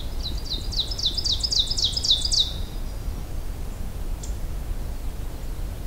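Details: Ovenbird singing on a May morning hike, a song remembered as teacher teacher teacher. About ten quick, bright, repeated two-part phrases grow louder over two and a half seconds, then stop. A steady low rumble of outdoor noise runs throughout.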